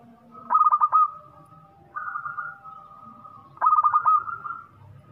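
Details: Local zebra dove singing hard: two rapid, rolling phrases of clipped coos about three seconds apart, separated by a softer drawn-out tone, over a faint steady whine.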